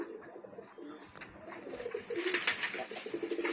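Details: A pair of Sialkoti pigeons gives low, throaty cooing in soft, irregular bursts, with rustling and scuffling noises from inside a small room.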